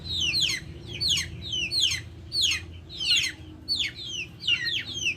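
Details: Backyard chickens make loud, high peeps in bursts of two or three descending notes, about once a second, over faint low background rumble.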